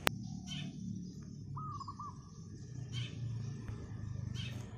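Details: A single rolling, stuttered coo phrase from a wild zebra dove on a roof in the morning, amid louder low rumbling and sharp chirps of other birds.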